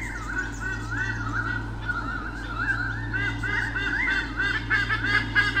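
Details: Pair of white-bellied sea eagles at Sydney Olympic Park, Australia, 2013, defending their territory from swooping currawongs, filmed on a nest camera: loud, rapid, goose-like honking notes repeated in an uneven series throughout, over a steady low hum.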